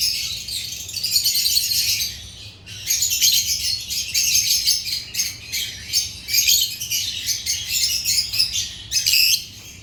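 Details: Agapornis lovebirds keeping up busy, high-pitched chirping and squawky twitters in repeated bursts of about a second, with brief quiet gaps between.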